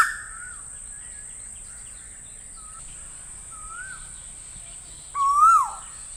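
Asian koel giving a loud rising whistled note near the end, after a few fainter whistles, over a steady high insect-like hiss.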